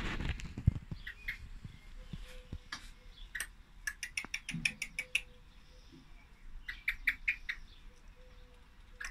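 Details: Female common blackbird giving bursts of quick, clicky tick notes after an opening of low rumbling and knocking noise, the calls coming in two main runs.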